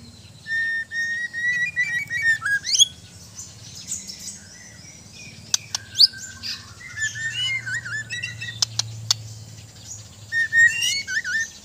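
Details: White-rumped shama (murai batu) in softer, varied song: scattered whistled phrases, slurred notes and high squeaks with pauses, sharp clicks and a steady low background hum.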